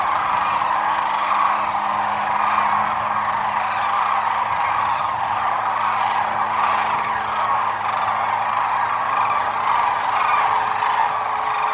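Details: Wintering Sandhill cranes at Whitewater Draw Wildlife Area, Arizona, a huge flock giving nonstop overlapping rattling bugles for the whole stretch, a roaring chorus with a faint low hum underneath.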